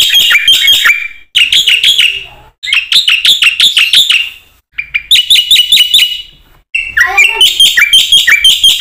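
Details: Song of a black-winged myna used to lure and train other mynas, given as five separate bursts of fast, bright chattering notes, each lasting about a second, with brief silences between.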